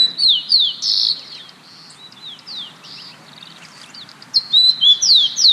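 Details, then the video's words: Rufous-collared Sparrow (chincol) in Santiago, Chile, a species that sings year-round, gives high, clear whistled notes that slur downward in two short bursts about three seconds apart, with quieter, thinner notes between. "Este es el canto del chincol."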